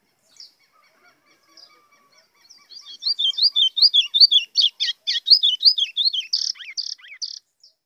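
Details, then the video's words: White-throated Seedeater singing the azulão-type song with a call meant to fire up rivals: a few soft opening chips, then a fast, clear phrase of slurred whistles and buzzy notes rising in energy. "GOLINHA CANTO AZULÃO"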